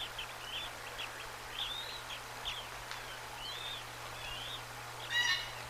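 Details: Bald eagle eaglets, one about a day old and one just hatched, fed trout at the nest on March 25, 2024: faint, scattered high peeps through the clip, then a louder harsher call near the end, against steady hum.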